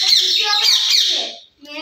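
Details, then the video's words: Rose-ringed parakeets, kept as pets and playing outside the cage: a loud, harsh, chattering run of raspy, speech-like squawks over about a second and a half, then a brief pause and another rough note. "RINGNECK PARROT SOUND | سبز طوطوں کی باتیں"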